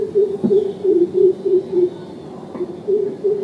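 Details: Greater coucal (crow pheasant) in an urban setting in India, calling a steady run of low, hollow hooting notes, about three a second, with a faint background hum.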